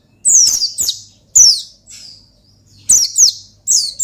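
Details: Oriental white-eye (pleci) giving an excited ngalas song to lure a rival: loud, buzzy, high, falling chirps in small clusters, with a faint trailing whistle and a soft background hum.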